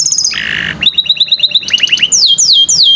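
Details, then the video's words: Domestic canary singing as a tutor for young canaries, a rich, clear song: buzzy trills near the start, then rapid repeated upswept chirps and descending whistled notes repeated in quick series. "Pancingan KENARI PAUD malas BUNYI"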